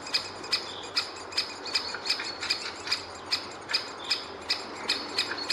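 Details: Great spotted woodpecker nestling and parent at the nest hole: sharp, high clicking notes about every half second over a steady high, hissing chatter.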